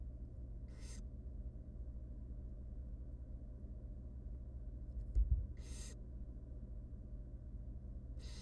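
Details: Wild barn owl nestlings, three tiny chicks fed by their mother inside a research nest box, beg with rasping hissed bursts roughly every two to three seconds, a soft knock midway, constant low electrical hum beneath.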